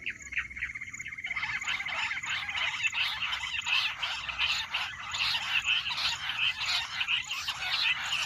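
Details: Jungle bush quail voice used in hunting: a thin steady whistle at first, then loud rapid chirping notes repeated in quick overlapping bursts.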